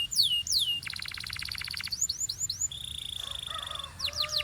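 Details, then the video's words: Belgian-style canary song: a few falling whistles, a buzzy pulsed roll, short upswept notes and a long steady high whistle before more downward slides. "This Canary’s Melody Makes All Birds Join In – Pure Belgian Singing"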